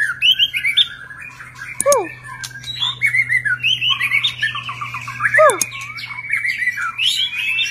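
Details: A displaying white-rumped shama sings a fast, rich stream of varied whistles and chattering phrases, with a few loud downslurred whistles, over a low steady hum.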